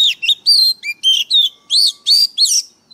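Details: Oriental magpie-robin lure bird singing intensely: seven or eight loud whistled phrases in a steady sequence, sweeping up and down, each lasting a fraction of a second, with clean gaps between them.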